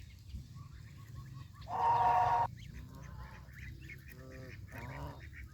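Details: Farm geese, adults and goslings, fed fresh grass beside a countryside pond; one loud harsh honk lasting under a second stands out against quieter low background hum, followed by softer nasal calls and short repeated notes.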